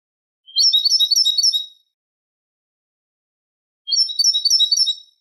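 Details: Eurasian goldfinch song in the Manolo style, played as a tutor recording for young goldfinches and hybrids: rapid high tinkling trills about a second long, two bursts separated by a pause, clean silent background.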